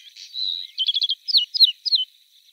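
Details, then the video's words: Bluethroat, Luscinia svecica, singing a short varied phrase: a sustained high whistle, then a quick run of clipped trilled notes and three sharp descending slurred notes, all high-pitched and clean. "Варакушка (Luscinia svecica) - голос"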